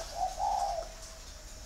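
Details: Caged male spotted dove, a northern-type bird kept in a cage six years and said to have red eyes, with a big build and 'giọng thổ' voice style; one short, low cooing phrase of a few run-together notes, then quiet.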